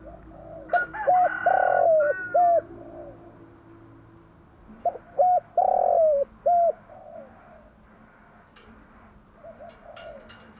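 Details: Morning cooing of a spotted dove, for luring and training decoy doves: two phrases of short coos leading into a long descending hollow note and a clipped ending, with faint background clicks.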